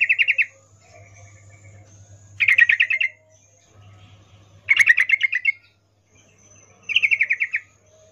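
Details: Female sooty-headed bulbul calling to a male with a breeding 'ngecuplik' call: short rapid chattering phrases about every two seconds, each a string of quick harsh notes, with a soft low hum between them.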